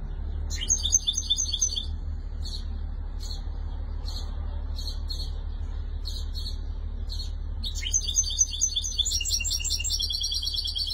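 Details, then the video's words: A Tunisian 'chentour' goldfinch, recorded in 2020, bursts into rapid, high, tinkling twittering and stops. Scattered short chips follow, and then a second long burst of jangling trills comes in. A constant low hum runs throughout. "جغل تونسي شنتور"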